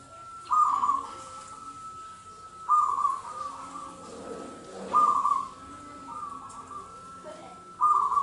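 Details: Local zebra dove in song, repeating short trilled whistled phrases roughly every two seconds, with a constant thin high tone running underneath and a noisy background murmur.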